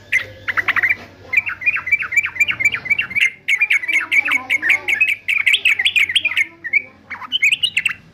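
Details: Singing-training recording of a fighter male yellow-vented bulbul: brief chatter, then a long run of quick bubbly warbled notes, a short pause, and a final higher burst.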